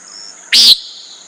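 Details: One brief, harsh, buzzy note from a common nighthawk, sharp onset and quick stop, with a faint high insect hum.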